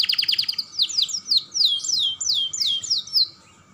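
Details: Young canary, used as a stimulus for other canaries, opens with rapid chips then sings a series of loud falling whistled slurs about three per second before going quiet.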